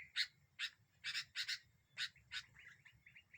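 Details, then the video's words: Sooty-headed bulbul used as a bird lure to provoke others: spaced, loud broad chirps, then a string of soft, quick bubbly notes, with faint low background hum. "Burung kutilang ini membuat burung lain emosi"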